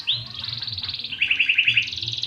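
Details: Caged domestic canary recovered from tetelo nervous disease, singing energetically again: sustained high rolling trill of rapid repeated notes, then a run of about seven clear slurred whistles, then a fast trill resuming.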